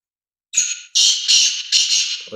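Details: Black francolin, recorded on Thursday, 8 February 2024, gives a loud, harsh, grating phrase of four raspy notes in quick rhythm, the first slightly thinner and more drawn out.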